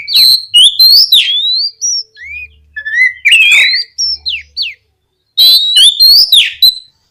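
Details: Vigorous oriental magpie-robin singing, played to encourage other magpie-robins to respond, with clear rising whistles, descending slurred notes and dense bursts of sharp chattering phrases separated by short silences.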